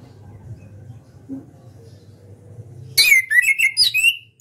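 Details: Orange-headed thrush, a champion contest bird kept in captivity, breaking from faint background hum into a quick string of whistled, warbling notes with high sharp overtones, about five phrases in under two seconds.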